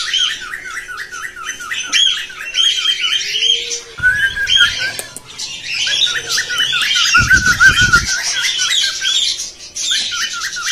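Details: Cockatiels chatter and warble in quick, repeated rising chirps about three per second, with harsher squawks and a couple of brief thumps; played as a mating-motivation sound to stimulate cockatiels to sing.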